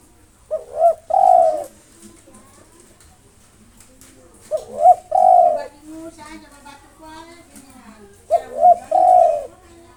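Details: Local spotted dove singing nonstop to provoke rival birds: three low, mellow cooing phrases, each a quick double coo then a longer drawn-out coo, about four seconds apart. Faint lower murmuring sounds run in the background between phrases.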